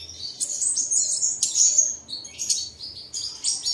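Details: Morning bird song lure for caged birds, made of short squeaky high phrases with quick upward and downward slurs. Each burst is separated by brief gaps.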